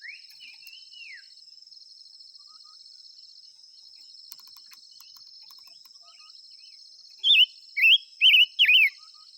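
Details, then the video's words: Five-coloured bird singing and calling: a faint slurred phrase at the start, then after a long gap four loud, quick, warbled whistles near the end, over a steady high insect drone. "tiếng chim ngũ sắc hót chuẩn muồi gọi buổi.."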